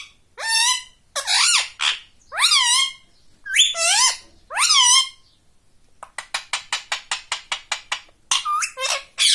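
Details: ['Talking ring-necked parakeet kept as a pet saying "mummy": five evenly spaced, raspy, bending syllables, then a fast train of about fifteen short clipped squawks and two last harsh notes.']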